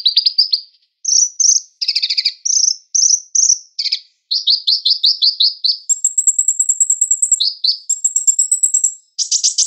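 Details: Sunbird song, used as training audio for cage songbirds: very high, thin twittering phrases of quick chirps and rapid trills, each phrase changing in pattern, separated by short pauses, some notes sharper and higher near the end.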